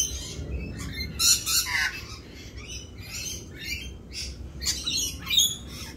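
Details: Rainbow lorikeets performing their mating dance in mating season, a string of harsh screeches and scratchy chatter, louder bursts early and late in the passage.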